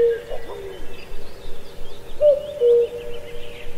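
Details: [['Cuckoo singing in deep forest at Pallandri, Azad Kashmir, giving one full cu-coo, a short higher note then a lower held note, after a clipped earlier call; faint twittering of other birds above.']]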